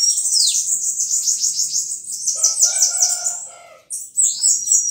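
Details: High, hurried bananaquit (sibite) song, a dense run of sibilant down-slurred notes without pause, joined midway by steady lower tones, then cut short and resuming after a brief gap.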